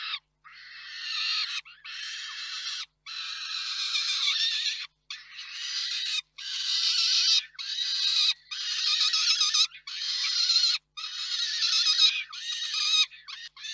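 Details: Peregrine falcon pair at their Reda nest, Poland, 4 May 2023, during a food delivery from the father: a run of rasping, screeching cries with short gaps between, some rising in intensity.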